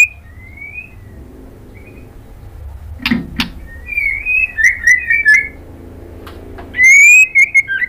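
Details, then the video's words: White-rumped shama female calling to a male, a lure to provoke him: an opening rising whistle, a pause with clicks, then bursts of warbled, wavering whistled notes, ending in a loud ringing flourish. "SUARA MURAI BATU BETINA MEMANGGIL JANTAN"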